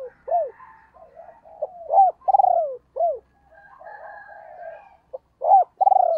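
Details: Female spotted dove decoy cooing to lure wild birds fast: quick rising-falling notes, a long buzzing pulsed coo and a short downward note, repeated about three seconds later over faint murmurs.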